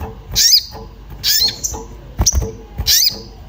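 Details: Agitated orange-bellied flowerpecker seeking a companion, a lure sound for other birds: four high, thin chip notes about a second apart, each sliding down, with soft low knocks in the background.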